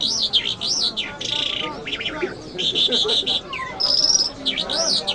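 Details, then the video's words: Mashhadi mast singing from an Iranian jal lark: arched whistled notes, buzzy trills and a high held tone, broken by short pauses, with faint human chatter underneath. "Jal Birds Iranians Lark Sounds | صدای طرقه، مشهدي مست"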